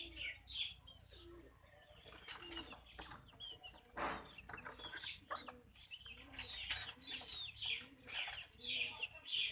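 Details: Chickens on a backyard farm, hens clucking: irregular short clucks and higher chirping notes overlap through the clip, with several birds calling at once and a brief broad rustle midway.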